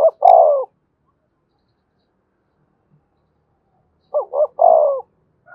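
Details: Spotted dove used as a decoy to stimulate a caged male: two brief coos followed by a longer, falling, hoarse coo, heard twice with about four seconds of silence between.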